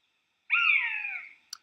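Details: Common buzzard calling on the wing, a mewing, crying-like call: one clear drawn-out downslurred scream lasting under a second, then a brief click, otherwise silent.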